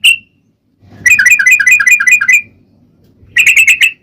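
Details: Sooty-headed bulbul, song used to lure other bulbuls into singing: a single clear note, a pause, then a fast rippling string of bright chirps, another gap and a short trilled burst, with faint low background noise.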